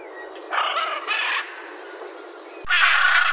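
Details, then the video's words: Blue-and-yellow macaw uttering two short, coarse squawks, a pause with background hiss, then a louder sustained harsh scream at the end. "CANTO DA ARARA CANINDÉ"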